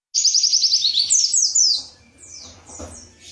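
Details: Indonesian white-eye, wiksar pleci, in 'tembakan materi' style: a quick string of high, pulsed chirps, then longer slurred downward notes, fading into quieter high whistles.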